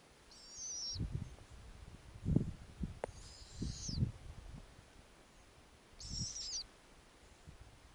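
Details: Three short, scratchy, high screeches spread over eight seconds from snowy owlets in an Arctic nest on a summer night, their mother back with a lemming. Frequent low thuds and rustles from movement in the nest.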